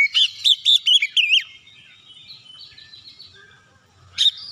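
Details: White-rumped shama singing to trigger song in other shamas: five loud, clear whistled notes in quick succession, each sweeping up then down, followed by faint high warbling and a final sharp whistled burst.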